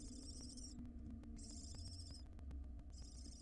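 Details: Barn owls in the wild at their nest box as the female arrives with a ring-necked parakeet: long breathy screeching hisses, repeated roughly every second and a half, with a faint low hum throughout.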